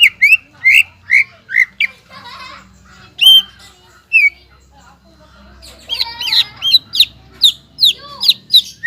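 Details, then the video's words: Energetic greater green leafbird song used to provoke untrained young birds into singing: rhythmic bright chips, then a rattling, chattery passage and a few isolated notes, ending in a dense run of ringing whistles over faint background noise. "PANCINGAN CUCAK IJO GACOR INI MAMPU MENAIKAN EMOSI IJO BAHAN AGAR BUNYI GACOR"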